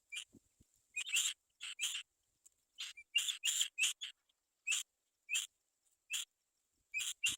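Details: Black-winged kite young waiting for their mother to bring food: repeated high, wheezy, hissing calls in short bursts every half second to second, with a couple of faint low knocks.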